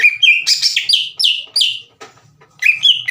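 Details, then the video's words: Green leafbird singing to provoke rival birds: loud, descending, partly buzzy whistled phrases, a brief gap, then two clear, slurred whistles. "MASTERAN DAN PANCINGAN CUCAK IJO LAMBAT PANAS UNTUK MEMICU EMOSI LAWAN AGAR GACOR"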